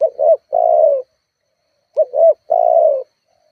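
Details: Spotted dove cooing as a lure to provoke rivals: two short notes followed by a long drawn coo, the phrase given twice about two seconds apart.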